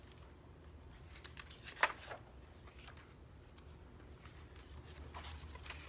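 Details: A quiet indoor room with soft rustling, handling noises and one sharp click, with no animal sound.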